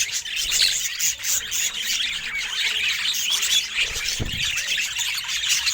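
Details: Pet budgerigar said to look especially happy today: dense, continuous high warbling chatter with squeaky chirps and short whistles throughout, plus a brief low thump near the four-second mark.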